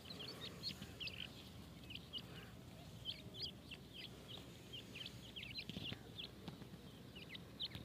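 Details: Feeding grey francolin chicks give a continuous stream of faint, high, downward-slurred cheeps, several birds calling at once, set against a constant low rumbling hiss.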